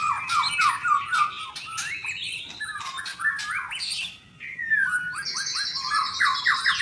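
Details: Albino and blorok mutation white-rumped shamas kept in captivity, singing fast, varied phrases of downslurred whistles, chips and trills. There is a short pause midway, then bright repeated notes.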